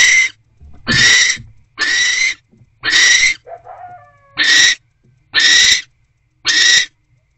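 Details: Barn owl pair in an owl box at night, January 2024, food arriving and mating; spaced harsh screeches roughly once a second, with a soft whining note between bursts.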